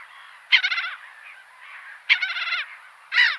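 A gull gives three harsh, nasal bursts about every 1.3 seconds, each a sharp note running into a quick chattering series.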